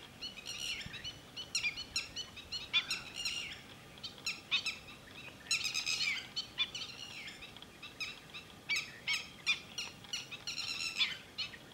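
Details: At Thol bird sanctuary, red-wattled lapwings give repeated bursts of shrill, piercing notes, several rapid volleys spread over about twelve seconds against a low outdoor rumble.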